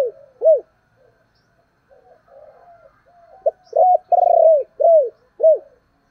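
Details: Decoy spotted dove giving its 'thúc' and calling coos: a string of low, arched, hollow coo notes, first spaced out, then a fast burst of four loud rounded coos near the end, over a silent background.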